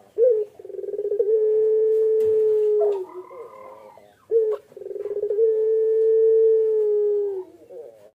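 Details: A Barbary dove (puter pelung) brooding eggs gives two long, low coos, each opening with a quick rolling burr, then drawing out into a steady, hollow hum lasting about two seconds.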